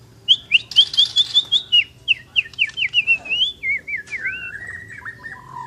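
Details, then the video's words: Asian brown flycatcher in busy song: a long string of thin, high whistled notes, each sliding up and down, delivered rapidly and dropping slightly lower toward the end. "Burung mure bordan gacor"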